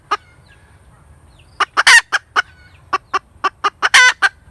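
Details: One cluck from a cackling hen, then a pause, then a quickening series of clucks with two long, raspy, emphatic notes.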